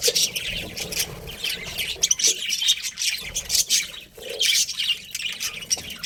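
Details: Budgies chatter in a lively jumble of high warbled chirps and thin whistled tweets, rising and falling in loudness, with a short lull just after four seconds.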